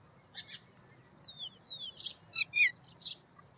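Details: Citrine wagtail foraging in fields: a quick run of high, thin chirps and short downslurred whistled notes, about eight notes bunched within three seconds, over a steady high-pitched whine and faint low background rumble.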